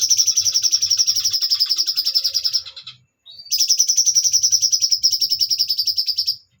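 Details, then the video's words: Extended bulbul song: two long runs of fast, even, buzzy trill pulses, the first lasting about two and a half seconds, broken by a short gap with a faint whistle. "cucak cungkok nembak panjang"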